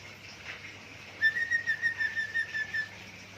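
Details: Singing pet budgerigar copying zebra dove and gecko calls: after a quiet start, a quick train of about ten clipped whistled pulses on one pitch, evenly spaced, with faint room hum beneath.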